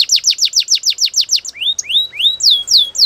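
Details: A Belgian canary singing in the morning gives a rapid trill of about a dozen falling notes, then shifts to slower, sweeping rising whistles repeated roughly every quarter second.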